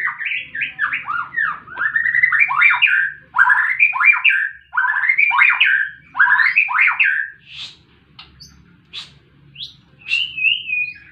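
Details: White-rumped shama singing in a fighting mood: rich varied phrases of rapid swooping, rising and falling whistles in bursts, ending with sparse sharp chips and a steady whistled note; low hum in background.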